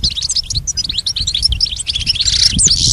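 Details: Short burst of goldfinch song for training a pet goldfinch: busy, high twittering with crisp chirps, growing louder and denser toward the close.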